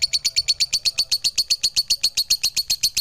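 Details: Bright, sharp high chirps from a lovebird repeated rapidly and very regularly, nearly four per second, loud and clean over a quiet background.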